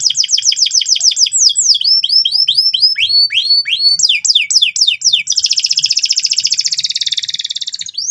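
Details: Loud, insistent canary song used to teach a young canary: fast sequences of descending whistled chirps, repeated several times a second, ending in a long buzzy trill and a rising note.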